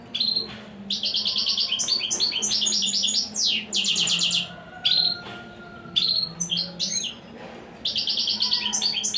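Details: European Goldfinch, praised as a royal, unbeaten songster, pouring out long runs of fast metallic trills and tinkling twitters, broken by brief pauses and single sharp whistled notes, with a low background hum.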